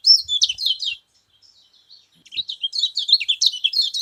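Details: Scaly-crowned honeyeater (kecial kuning), said to stir up other birds of its kind; a fast run of bright, high chirps and twittering notes for about a second, a pause, then a longer burst of jumbled high twitters.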